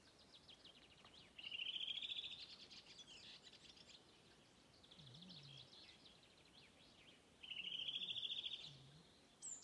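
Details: Redwing singing its local dialect song on Åstholmen, Sweden, 29 May 2021: two high twittering, slightly rising phrases a few seconds apart, with a fainter twittering passage between them and quiet background.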